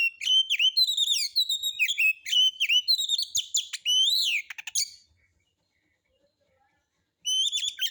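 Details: Oriental magpie-robin performing nonstop by itself with rough song material, a lure for other birds: a dense run of rapid varied whistles and buzzy notes for five seconds, a brief silence, then singing resumes.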